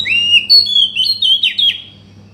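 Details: Oriental magpie-robin song for prompting a silent bird to sing: clear sweet whistles rising and stepping up, then two quick downslurred notes, with a faint steady hum beneath.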